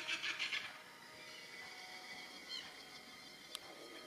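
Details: Yellow-tailed black cockatoo feeding on bottlebrush and banksia flowers in Tasmania, Australia, gives a quick run of harsh squealing notes in the first half-second, then falls quiet over a steady hum with one sharp click.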